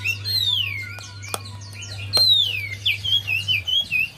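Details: Javan white-eye song used as a lure for a quiet bird: long whistles swooping downward, sharp clicks, then quick wavering notes, over a low hum that stops near the end.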